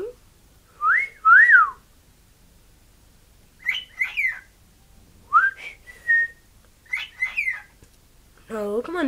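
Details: Pet male cockatiel (Nymphicus hollandicus) whistling tunes his owner taught him, short clear phrases of swooping, rising and falling notes with brief pauses, while being coaxed to whistle.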